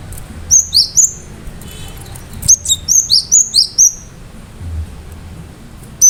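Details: Cinereous tit (gelatik batu) in full song, with sharp notes meant to provoke other birds into answering. Two bursts of very high, clear downslurred whistles, each note repeated rapidly, separated by a short pause, over a low steady hum.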